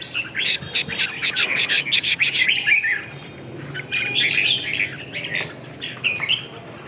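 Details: Red-whiskered bulbul song: a fast run of sharp, repeated chirping notes for about three seconds, then softer warbled phrases, with a steady background hiss.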